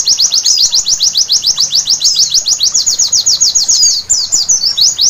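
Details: High, rapid chattering from a white-eye at night, an even run of thin sweeping notes that breaks toward the end into a short, quicker twittering flourish.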